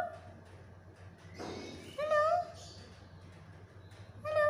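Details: Black-capped lory uttering short speech-like words, one loud and wavering in the middle and another starting at the end. A soft breathy noise and a faint hum are also heard.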